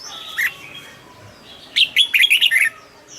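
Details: Caged red-whiskered bulbul: a lone soft note, then a lively burst of six rapid, rolling whistles with clear, ringing tones.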